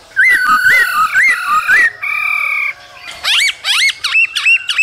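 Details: Cold-season recording of a male laughingthrush singing and dancing with a female calling; rolling whistled phrases rise and fall, then a steady held whistle, then sharp upswept notes climbing higher.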